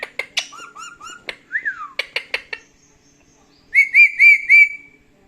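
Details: Pet male parrot, indoors, mixing talking with angry screaming: sharp clicks and short whistled notes, a downward-sliding whistle, then four loud, clear, arched whistles in quick succession.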